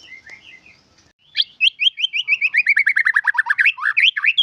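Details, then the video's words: White-rumped shama song with isian phrases: soft twittering notes, then a fast trill of repeated short notes that gradually drop in pitch and speed up, ending in upward-flicked whistles. "Kompilasi Suara Burung Murai batu dengan Isian mantap"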